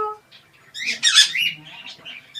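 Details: A rescue parrot in a morning conversation with its owner lets out a brief, harsh, scratchy squawk that trails into softer chattering notes after a short clear tone, while the owner talks nearby.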